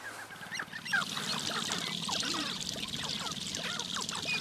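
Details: A chorus of displaying grouse during mating dances on a lek: many overlapping hoots, clucks and swooping calls, with a low throbbing pulse beneath, over a steady background hiss.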